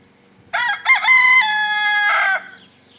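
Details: Rooster in rural Brittany, France, crowing on 24 April 2011: a loud crow opening with two brief syllables and then a drawn-out level cry, ending with a short rougher flourish before it trails off into quiet.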